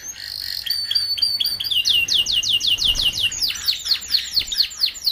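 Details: Young canary song used for tutoring juvenile canaries kept together in group cages: a short buzzy opening, then tours of bright downward-swept notes repeated about four times a second.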